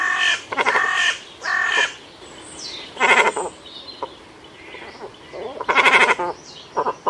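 Cormorant giving harsh, guttural croaks and bleating grunts in short bursts at an uneven pace, with fainter calls from other birds between them.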